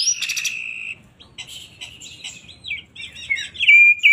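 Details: Oriental magpie-robin of the poci type singing in an agitated, excited state: a loud, fast, varied song of rich whistles, harsh buzzy notes and sharp chirps, mostly high-pitched, with a few rising and falling phrases.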